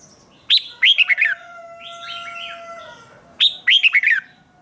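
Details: Two short warbled phrases of bright chirps from a red-whiskered bulbul at morning training, separated by a quieter gap with soft notes and a steady faint tone.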